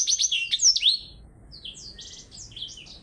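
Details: Blackthroat in a singing contest against a Java sparrow, opening with a loud run of quick looping whistles, then fading into softer scattered high chirps and short buzzy notes.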